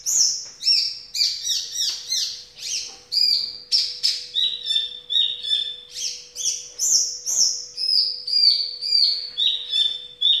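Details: Caged Javan bush lark delivering 'ambulance' style song, a dense, quick stream of high chirps and short trills, about two notes a second, rising and dipping without pause.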